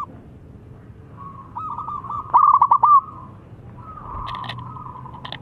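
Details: Singing local zebra dove, its long song meant to encourage lazy birds: a soft drawn coo, then one loud burst of rapid rolling notes, followed by fainter sustained cooing and brief higher chirps.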